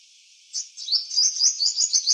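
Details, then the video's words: Purple sunbird in eclipse plumage delivering a short, high song in a backyard: a sharp opening note, then a quick series of bright, slurred twitters repeated roughly every fifth of a second. "Purple sunbird in eclipse plumage singing different songs"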